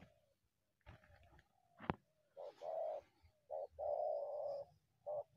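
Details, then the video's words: Wild spotted dove coming out of the bushes toward a decoy, giving loud cooing phrases of short and longer notes around 2.4–5.3 seconds, preceded by a few sharp clicks and rustling. "terkukur unik selalu masuk dari semak hajar pikat"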